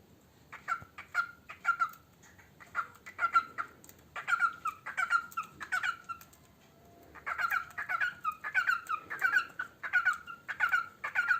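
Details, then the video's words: Pet parrot singing while eating: a run of short, bright chirped notes with a clear tonal core, given in bursts about every half second, with a brief pause midway before the chirping resumes. "Chu singing while eating"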